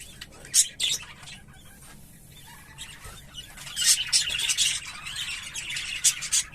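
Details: English Fallow budgerigars, visual and carrier birds: a few isolated sharp chirps, a near-silent gap, then scratchy high chattering builds after the third second.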